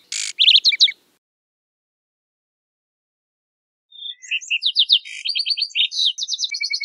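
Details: Wild lark sparrow song, beginning with a buzzy burst and quick notes, then after a long gap a three-second run of varied high chirps, whistles and short trills with no other sounds.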